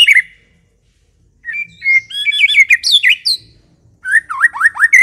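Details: White-rumped shama song used as a lure: a short whistle, a pause, then a run of rich warbled phrases with high notes, and finally a set of repeated downslurred whistles.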